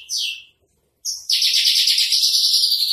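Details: A single high descending note from a spotted 'trotol' Javan bush lark, a pause, then a loud, continuous buzzing rattle held for nearly two seconds. It is a masteran recording.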